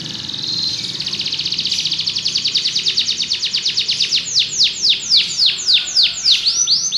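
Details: Song of a Belgian canary: a long trill that swells and speeds up for four seconds, followed by bold downward-sweeping whistles and a closing rapid trill.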